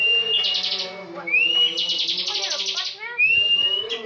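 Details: Competition bar-winged prinia, a frequent national champion, in ngebren song. Rattling buzzy trills alternate with rising whistled notes, continuous and loud, over soft low background noise.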